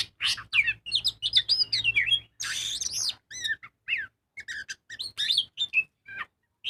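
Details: Magpie-robin (kacer) in lively full song meant to lure other birds into singing: dense chattering trills, sharp squeaky notes and scratchy rising sweeps, then spaced clear whistles; faint low hum underneath.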